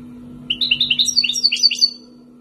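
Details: European goldfinch from Algeria, wild-origin and raised for two years, delivering a quick twittering phrase of bright, high, liquid notes that climb and tumble for about a second and a half, with a constant low hum behind.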